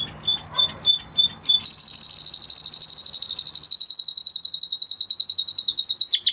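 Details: Spanish Timbrado canary giving spaced high chips, then an extended high rapid trill that shifts to a slightly lower continuous roll, ending in a few fast descending notes; faint low hum early on.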